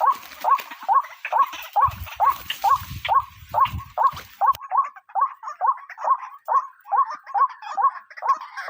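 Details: White-breasted waterhen call used as a trapping lure: a steady run of mid-pitched, croaking notes repeated about twice per second throughout, with a low rumbling noise in the first half.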